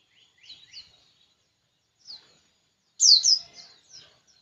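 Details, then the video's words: White-eye in persistent song, giving soft high twittering notes, a short pause, a single chirp, then a louder burst of bright descending chirps fading into softer twitters. "Pleci ngotot kicau"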